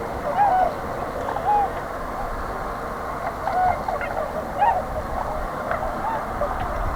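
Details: Migrating Tundra Swans at a spring stopover in southwestern Ontario, near Pinery Provincial Park. A few clear, slurred hooting notes sound about once a second over a constant murmur of distant flock calls and low rumble.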